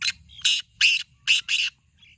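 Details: Black francolin (kala teetar) calling, played so a kept francolin starts calling: five harsh, rasping notes in an uneven, quick rhythm, with a faint low rumble and one soft trailing chirp.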